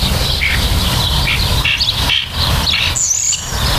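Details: Common starlings during nesting: varied short, sharp whistles and squeaky chirps, some rising and some falling, scattered irregularly, with a brief very high buzzy note near the end over low background rumble.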